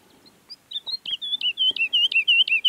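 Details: Woodlark (Lullula arborea) in Sierra Nevada, Granada, Spain, singing a rolling series of soft, liquid fluted notes that begin hesitantly, then speed up into a steady repeated trill.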